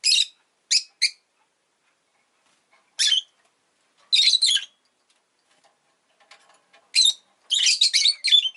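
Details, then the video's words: Pet rosy-faced lovebird calling with short, sharp chirps in a quick triple, then single raspy calls, ending in a busy cluster of grating notes. "Lovebird Chirping Sounds"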